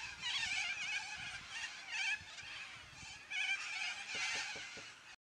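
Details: Loud squawks from a noisy flock of yellow-crested cockatoos, many rasping screeches layered into an unbroken chorus that rises and falls in loudness, then cuts off abruptly at the end.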